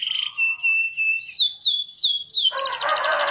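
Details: Canary singing in lively form: a steady whistled tone, then a series of sharply descending whistled slurs, ending in a dense, harsh rolling trill.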